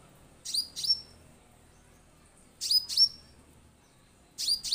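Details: Orange-headed thrush lure recording meant to get birds singing: three bursts of paired, piercing high notes, each sliding down sharply, separated by about two seconds of quiet.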